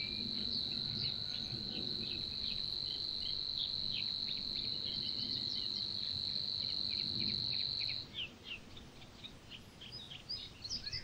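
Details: Savi's warbler in Niepołomice Forest, Poland, June 2020, delivering a continuous high, dry, cricket-like trill for roughly eight seconds. Other birds chirp throughout and keep calling after the reel ends, over a faint low background rumble.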